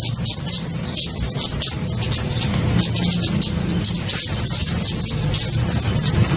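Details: Flowerpecker trapping lure: a fast run of sharp, very high ticking chirps early on, then scattered thin upslurred notes and twitters, with a soft low hum in the background.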